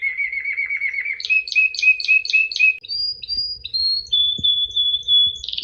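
A canary sings a fast rolling trill, then buzzy repeated phrases, then long clear whistled notes that step down in pitch; faint low rumble beneath.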